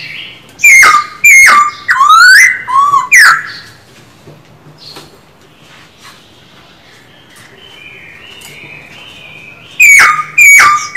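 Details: Caged male Black-throated Laughingthrush kept as a songbird for song training: loud, clear whistled phrases with sharp slurred notes around the middle range in two bursts, separated by several seconds of near quiet with faint distant chirps.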